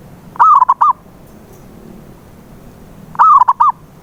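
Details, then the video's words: Zebra dove calling, used to prompt a silent perkutut into song: two clear low cooing phrases, each a wavering long note then brief repeated coos, nearly three seconds apart with little else heard. "PANCINGAN SUARA PERKUTUT BISU"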